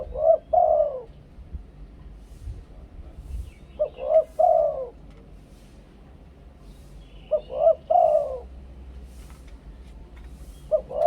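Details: Spotted dove from Thailand giving its clear decoy song in the two-kuk ku-ang style: mellow, low cooing phrases, each a short note followed by a longer rolling coo, repeated about every three to four seconds over quiet background.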